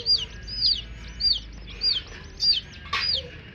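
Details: Young coloured chicks give clear, piercing peeps that drop in pitch, spaced in an even rhythm about every half second, with a brief rustle near the end.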